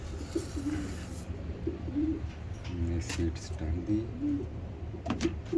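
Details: Pet pigeons kept alongside lovebirds, being given seed on a hot 32-degree day and sheltering from the heat. Soft, low coos sound in short bursts throughout, over a man speaking and a few light clicks.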